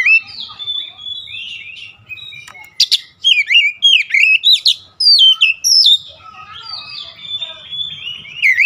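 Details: Oriental magpie-robin singing a varied, loud song of whistled slurs and sharp rising-falling notes around high pitch, delivered in bursts with short pauses, some softer warbling between phrases.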